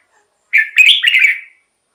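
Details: One rapid, bubbling warbled phrase lasting about a second from a red-whiskered bulbul, sung to excite caged birds or draw in wild ones; silence around it.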